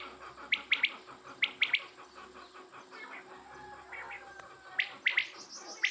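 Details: Quail calling: sharp, bright three-note bursts, repeated several times a few seconds apart, with quieter chirping from other birds and a steady hum in the background.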